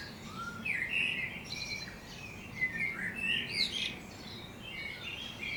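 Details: Wild birds singing in the morning on the outskirts of Budapest, Hungary: several overlapping chirps and short whistled phrases, some rising sharply, over a steady low background hiss.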